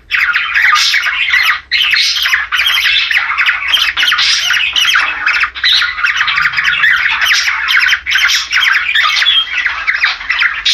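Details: Captive budgerigars giving mating chatter, used to stimulate breeding pairs: a dense, continuous warble of scratchy squawks, chirps and clicks, broken by a few brief pauses.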